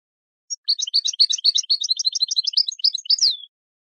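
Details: European goldfinch song for training birds: a three-second stream of rapid, tinkling twitters that finishes with a sweeping downward slur, no other sounds.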